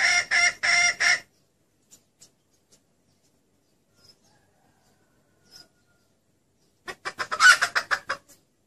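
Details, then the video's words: Red junglefowl hen call used as a lure to attract the male: short, harsh clucking notes in two bursts, three quick clucks, a long pause, then a rapid series of about eight. "SEUARA PIKAT AYAM HUTAN BETINA"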